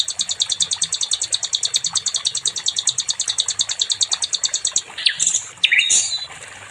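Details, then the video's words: Nightingale song recorded for training other songbirds, known locally as sikatan londo: a fast, high, evenly pulsed trill of repeated notes for about five seconds, then a few sharper, scratchier high phrases, over low background rumble. "SIKATAN LONDO🏆🔥 NIGHTINGALE"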